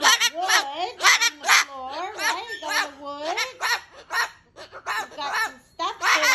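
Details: A female pet cockatoo at home, ranting: rapid, speech-like babbling of wavering, warbling syllables with sliding pitch, interspersed with short squawky bursts and laugh-like notes, almost continuous throughout.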